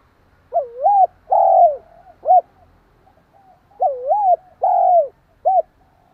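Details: Spotted dove decoy bird cooing rapidly to provoke and stimulate another dove: two mid-pitched three-part phrases, each a rising-falling coo, a longer steady coo and a short clipped note, repeated about three seconds apart in a quiet setting.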